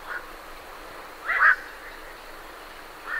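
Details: A single rough, croaking call from night herons leaving the roost stands out between two fainter, more distant croaks against a soft hiss.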